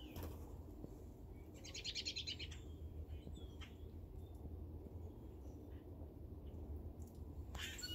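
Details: Grackles in a tree give a harsh, raspy squawk lasting about a second, then a few short squeaky chirps, over a steady low rumble and a thin high whine.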